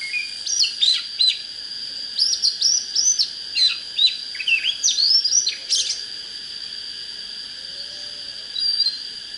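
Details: Oriental magpie-robin song for rousing birds to fight: lively sequence of clear whistles, chirps and quick up-and-down slurs in close succession, fading to a few sparse notes, with a continuous high buzzing tone behind.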